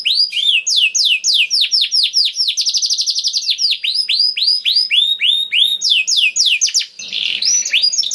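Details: Vigorous canary song in a special style, used to lure other canaries into singing: a string of high swooping notes, a fast rolling trill, more swoops and a short harsh buzz near the end.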